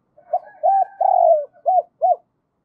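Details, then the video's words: Spotted dove used as a decoy to draw in wild doves, cooing one full phrase: soft lead-in notes, a short coo, a long sliding descending coo, then two crisp short coos at the end. "Chim Cu Mồi thúc và gáy gọi mở lên kích bổi hiệu quả nhất"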